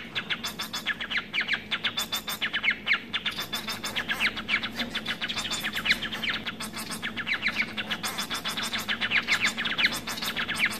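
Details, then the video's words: Society finches (Lonchura striata domestica), a domestic hybrid bred from the white-rumped munia, give rapid, dense chattering chirps with high buzzy notes, repeated almost without pause, over a faint low hum. "十姊妹/Society Finch"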